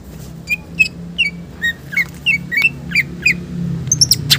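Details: Green leafbird giving a mimicry-filled song for prompting and tutoring other birds: a steady run of short upslurred whistled notes roughly three per second, ending in higher sharp chirps, over a low engine-like rumble.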